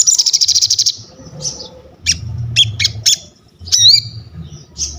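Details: Vocal crested jay, for training and luring birds: a pulsing rattle at the start, then separate sharp high chirps and a squeaky looping whistle, over low rumbling background noise.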